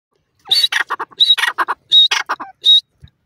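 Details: Francolin calling: a quick run of harsh, grating bursts mixed with short, sharp whistled notes, about a dozen notes packed into two seconds, with no other sounds.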